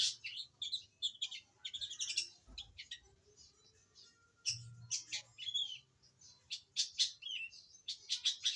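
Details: Forest-caught young long-tailed shrike starting to sing, giving rapid scratchy, high chirps in uneven bursts separated by brief pauses, with a faint low hum underneath.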